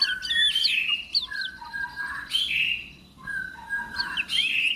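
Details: Murai batu, the white-rumped shama, delivering slurred whistled phrases that sweep up and down, with bright high notes and lower fluting runs separated by short pauses.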